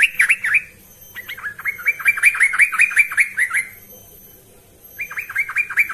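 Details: Lively yellow-vented bulbul lure song for training birds: a short gurgling phrase, then a long run of quick, rich, bubbling notes sliding downward, and after a pause another rapid burst, with a faint high thin tone in the background.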